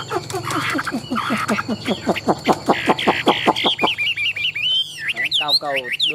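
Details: Competition-singing Chinese hwamei, tame and caged, delivers rapid repeated notes mixed with buzzy harmonic bursts, then a pause and a final spray of quick slurred whistles.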